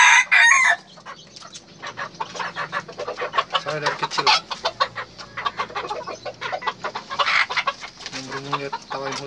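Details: Red junglefowl rooster crowing: one short, loud, harsh crow at the very start, then a dense stretch of rapid clucking and chattering from other fowl, with faint voices in the background.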